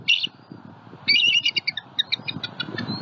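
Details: Adult bald eagle pair at a nest in Southwest Florida, captured by a live nest camera, calling in alarm to warn off a juvenile eagle flying over while protecting their eaglet: high, thin chattering notes in quick bursts, with low rustling noise beneath.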